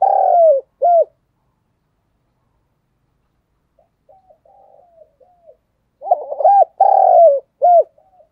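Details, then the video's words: Spotted dove coo played to spur other doves to coo: the clip opens with a long coo and a short coo, then near silence and faint low notes, before a full phrase of stuttered notes, a long coo and a short coo. "Tiếng chim cu gáy thúc gù"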